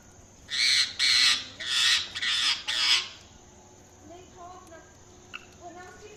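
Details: Indian ringneck parakeet calling: five loud harsh squawks in quick succession over about two and a half seconds, then quieter faint chirps and a household background.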